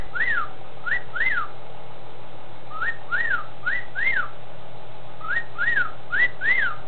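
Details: Seth, a male cockatiel kept apart from his mate because he picked at her feathers, repeats a clear wolf whistle, each note swooping up then down, in bursts of three.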